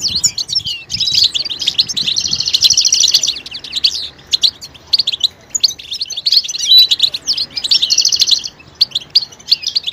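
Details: Betbeta mating calls from a European goldfinch, played to stimulate males to sing. Sustained buzzy trills alternate with scattered sharp chirps; two long buzzy stretches at one to three and near eight seconds.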